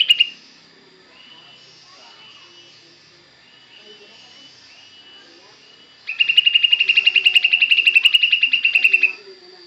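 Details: Sooty-headed bulbul (kutilang) singing in bursts imitating cucak jenggot: faint chattering phrases, then a three-second burst of rapid, repeated bright chips about four per second, over a steady high electronic whine.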